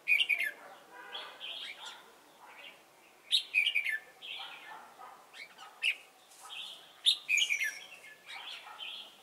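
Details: Red-whiskered bulbul acting as a trapping decoy at Chùa Hương on 28 November 2017, giving bright chirpy whistled phrases in bursts every few seconds, with softer warbling notes in between.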